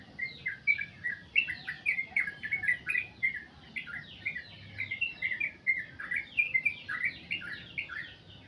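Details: Long 'goklik' song of a sooty-headed bulbul: fast, continuous runs of sharp chirps that slur downward, delivered several per second with an even, bubbling rhythm throughout.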